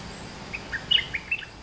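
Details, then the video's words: Streak-eared Bulbul, a bird caged for two months, sings a lure song with a double-note flourish: a quick phrase of short clear whistled notes hopping up and down, loudest near the middle, over faint background hiss. "เสียงนกดอกแตงEp.220 จ้าวเล็บขาวอายุกรง2เดือน เพลงพอฟังได้ มีลักเบิ้ล Suara pikat merbah lekir gacor"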